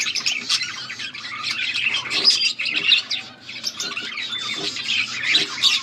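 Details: Flock of budgerigars recorded August 14, 2024, giving steady busy chirping: scratchy high twitters and short whistled notes that overlap, with a brief lull near the middle.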